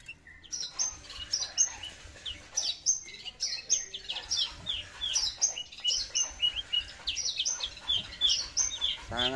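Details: Caged Horsfield's bushlark of the aliena type, a song with no bass: a busy, continuous stream of high chirps, trills and whistled slurs, varied and quickly repeated, with faint background noise.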